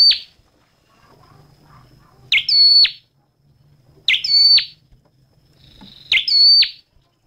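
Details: Repeated loud, high notes from a red-headed flowerpecker, three within seven seconds. Each is a rising buzzy sweep that flattens into a thin tone before dropping off, with a low faint hum underneath.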